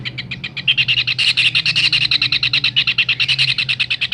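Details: Kingfisher recording used to train songbirds: loud, strident notes repeated rapidly, about three a second, growing stronger after the opening and holding steady, with a faint low hum.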